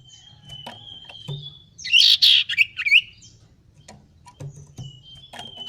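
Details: A male common iora practising his song: a long, thin, steady whistle, a sudden loud burst of buzzy, twisting notes in the middle, then the drawn-out whistle again with scattered soft chirps and clicks.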